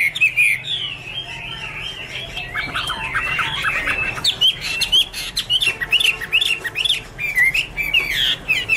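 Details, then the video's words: Chinese hwamei from 2017, described as dancing and singing: a rich, varied run of loud whistled phrases that rise and fall without pause, mixed with sharp high chips and scratchy notes in a small, slightly noisy space. "Angry Birds Dance and Sing| Iron Ax Blade Cut Wood| Bird Chinese Hwamei 2017"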